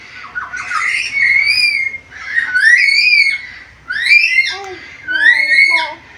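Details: Black-capped lory, able to talk and make varied sounds. Four drawn-out whistled phrases, each sliding up and wavering, some with speech-like inflection, separated by short pauses.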